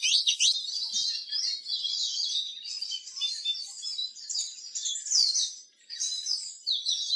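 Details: Eurasian siskin singing: a continuous high twittering warble of rapid chirps and trills, running almost unbroken with a few brief dips, no other sounds.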